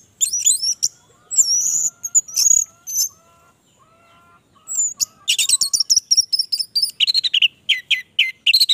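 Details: Persistent song of an orange-headed thrush: quick high whistled phrases and chirps, a faint lower repeated whistle underneath in the middle, then a dense run of rapid notes ending in short descending whistles.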